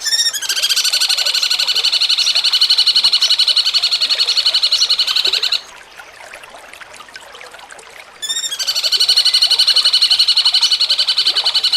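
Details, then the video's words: Master recording of cucak cungkok for contest songbird training, jengking munting style: a continuous harsh, pulsing trill of about five seconds, a quiet pause, then the same dense buzzy trill resumes with a brief rising start. "MASTERAN CUCAK CUNGKOK JENGKING MUNTING"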